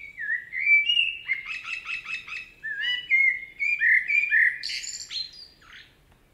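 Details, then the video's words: Common blackbird singing in a forest in Spain: a mellow, slurred whistled phrase with a rapid stuttering middle section, rising to higher squeaky, twittering notes at the end; clear, with a quiet background. "Common Blackbird Song & Calls - The sounds of a blackbird singing in a forest"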